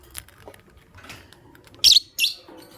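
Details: Green Personata lovebird and albino lovebird in the morning: two loud, shrill, harsh chirps in quick succession near the end, after faint scattered clicks and rustling.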